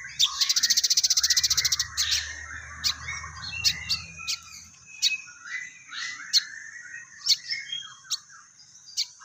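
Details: Crested jay (sogon) performing 'gereja tarung' material. It opens with a fast, even rattling trill lasting about a second and a half, then gives scattered sharp, high chirps and short twittering phrases spaced a few per second.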